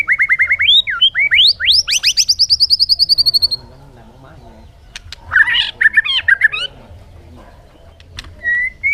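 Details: A bird sings a rapid, buzzy trill of fast repeated notes that climbs in pitch, then pauses before jumbled high chirps and a final short whistle.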